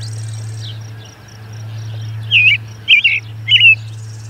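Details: American robin song near the Charlo osprey nest, June 10, 2020, just before noon MDT: a tight series of three warbling phrases, roughly half a second apart, against a continuous low hum.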